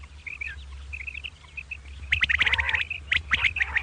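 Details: Morning calling of two common quail: soft short chirps, then loud raspy grating phrases in quick succession near the end, over a low background drone.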